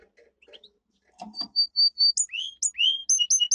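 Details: A domestic canary's powerful training song, starting with soft chirps, then clear level whistles, rising slurred swoops and bright high chips alternating in quick succession.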